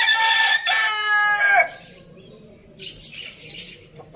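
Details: Farm rooster finishing a loud, strongly harmonic crow that breaks off after about a second and a half, with faint small-bird chirps afterward.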